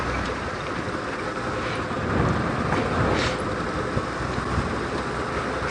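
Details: Loud rushing noise like a moving vehicle or rain on a safari drive, with faint crackles and no clear animal sound.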